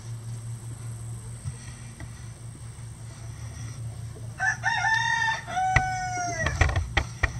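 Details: Roosters on a farm with at least 20 standard and bantam birds that crow all day. Several seconds of low hum and faint rustling come first, then a clear crow with a falling ending. Sharp knocks follow the crow.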